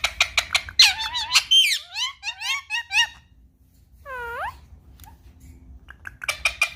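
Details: Curious pet Indian ringneck parakeet in a small room, wanting an iPad: bursts of sharp clicking notes, a tumbling series of rising whistled chirps, a falling squeal, then more rapid clicks.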